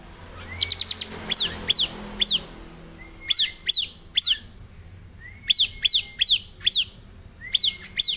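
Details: Bar-winged prinia singing gacor to stir other prinias: a fast rattle of clicks, then paced high downslurred notes in bursts of three to five, each group opened by a soft rising whistle.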